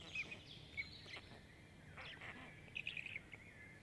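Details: Begging by five Black stork chicks during feeding at an Estonian nest in Jõgeva County, recorded by a nest camera on 29 May 2022: short rasping, wheezy squeals in two clusters, with low background noise.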